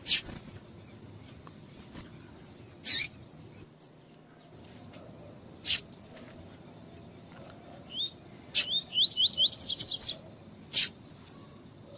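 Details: Double-collared seedeater, a 'tui tui' style tutor song used to warm up and train males, mixed with female calls: a run of about seven quick rising slurred notes, with sharp high chips and clicks scattered before and after.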